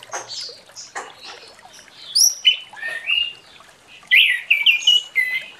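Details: Morning song of an orange-headed thrush in full open delivery, used as a lure for birds that will not sing: varied whistled phrases, high squeaky slides and rich lower whistles in irregular sequence.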